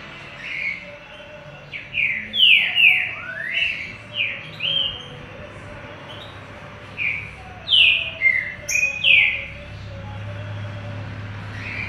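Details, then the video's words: Green-winged saltator singing: bright, sweeping whistled notes, some rising and some falling, given in quick bursts with short pauses between phrases. A steady low hum sits underneath throughout. "TRINCA DANDO UNS CANTINHOS"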